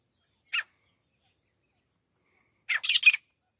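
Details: Grey francolin, local teeter bird, in a hunting recording: a single short rasping note, silence, then a quick cluster of three harsh, scratchy bursts.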